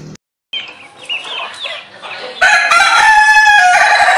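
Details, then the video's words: Ayam ketawa rooster with a melodious voice: faint high chirps first, then a loud, full, harmonic crow held with a rapid, bubbling, laugh-like pulsing to the end. "Ayam Ketawa Bersuara Merdu"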